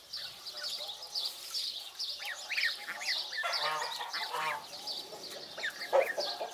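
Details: Young African geese, 22 days old, at feeding time: scattered thin rising peeps, then a burst of fuller, reedy honking notes midway, with steady high background hiss throughout.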